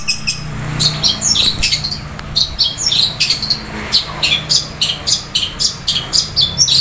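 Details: Long-tailed shrike singing a long, loud masteran of fighting sparrow sounds, with rapid scratchy chirps and squeaks in quick series, some notes sliding, delivered in pulsing runs with a faint low hum behind.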